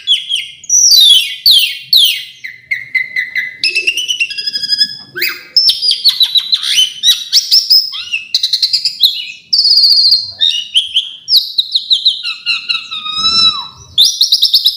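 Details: Long, richly varied song from an Asian pied starling: rapid runs of sharp chirps, swooping whistles, level piping notes and harsh buzzy bursts that shift constantly in pitch and rhythm.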